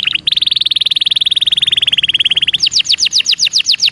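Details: Belgian canary song for training young birds: a long rapid trill of even high notes held for over two seconds, then shifting into repeated downward-sweeping whistles.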